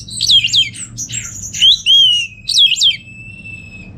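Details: Caged orange-headed thrush from Singaraja, North Bali, used as a training lure. Harsh squawky notes and sweeping whistles lead into one long, level whistle, then a sharp final note.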